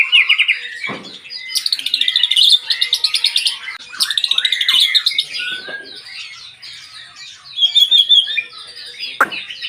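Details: White-rumped shama singing a rich, varied song: fast repeated note series in several bursts, interleaved with whistles and chattering phrases, with a few brief low clicks.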